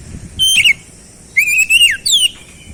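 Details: An oriental magpie-robin in captivity whistles a level note with a flick, then a long wavering phrase falling at the end and a steeply descending slur.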